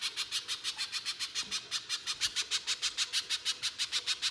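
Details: Spiderhunter (pijantung pisang) in harsh lure song for drawing other spiderhunters to sing: unbroken, regular sharp chips, about three per second, growing slightly louder.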